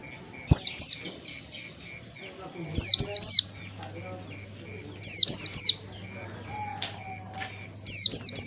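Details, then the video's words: Oriental white-eye song used to stimulate young birds to sing: high, sharply falling chirps in quick bursts of two or three, repeated every two to three seconds, over a steady faint tone and low hum. "pancingan pleci bakalan agar cepat ngalas gacor !!!, merangsang pleci cepat gacor"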